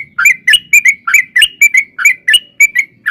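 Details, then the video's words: Rapid bubbly song of a yellow-vented bulbul, used as a long 'ropel' lure to get other bulbuls answering: slurred liquid whistles in quick pairs over a faint low hum. "trucukan gacor TARUNG ROPEL PANJANG pancingan trucukan agar bunyi jadikan burung trucuk gacor NYAUT"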